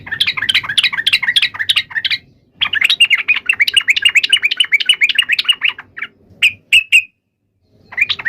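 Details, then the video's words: Yellow-vented bulbul in intense fighting song used to make other bulbuls answer at once: dense, fast scratchy chatter, a brief pause, then more chattering, ending in a few loud separate chips. "trucukan gacor TARUNG FULL EMOSI TAJAM ini ampuh MENJADIKAN agar burung trucuk gacor NYAUT SEKETIKA"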